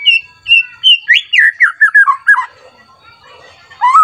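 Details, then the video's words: Stirred-up White-rumped shama seeking a rival, unloading its repertoire. Clear, drawn-out whistles lead into a quick cascade of falling slurred notes, followed by a hush and one final upward whistle. "Pancingan Murai Batu Agar Bunyi Langsung emosi Bongkar Isian Mewah"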